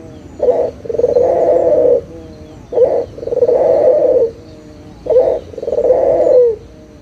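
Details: A local puter (Barbary dove) lure call to restart doves that have gone quiet: three clean phrases, each a short low note followed by a drawn-out, even coo, spaced about two seconds apart.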